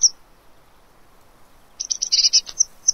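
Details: A Eurasian blue tit at a fat ball feeder in Pellerey, France, on 3 March 2017 gives a brief burst of high, thin, rapid chittering notes with a few sharp ticks, after a quiet start.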